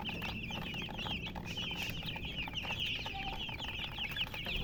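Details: Chickens with a hen: loud, insistent high chirps, each briefly rising then falling, repeated in rapid overlapping bursts over a low humming background.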